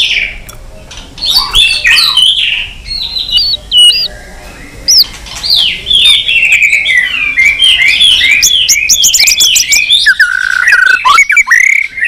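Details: White-rumped shama in a rich, many-voiced fighting song, stirred to sing against a rival. Dense, rapid tumbling whistles and warbles, high and continuous, with short pauses between bursts.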